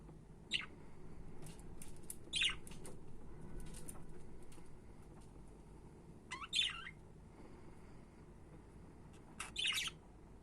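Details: Budgerigars make a series of harsh, scratchy chirps in short bursts, some in quick pairs, separated by quieter gaps with a soft background rumble.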